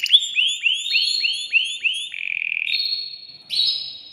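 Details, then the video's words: Aroused male canary in a cage, singing to excite a female into mating: a run of upward-sweeping whistled notes repeated quickly, then a lower buzzy trill and two bright sustained whistles. "تغريد ذكر كناري هائج يريد تكسير القفص يحفز الأنثي لتزاوج"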